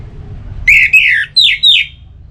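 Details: Orange-headed thrush, recorded as a singing stimulus, delivering four rich slurred whistles, the first two rising then dropping, the last two falling steeply.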